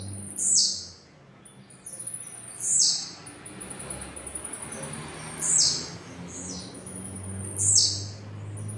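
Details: Blue-black grassquit (Volatinia jacarina), song.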